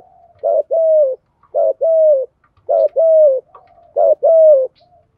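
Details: Repetitive 'thổ'-style coos of a spotted dove used to stimulate kept doves: four paired phrases, a clipped opening note and a drawn-out level coo falling away, with faint quiet cooing between.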